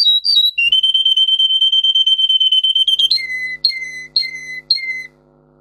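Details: Singing Russian singer canary, a breed bred for song, with the song used as a training model. A long steady pulsing trill on one pitch gives way to several lower, drawn-out falling notes, each with a faint hum beneath.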